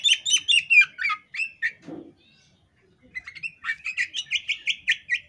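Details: Breeding-condition female Oriental magpie-robin (kacer poci) calling with open tail, said to set males calling too. Rapid buzzy chirps in rhythmic runs, a brief pause with a soft thump, then a steady chattering series.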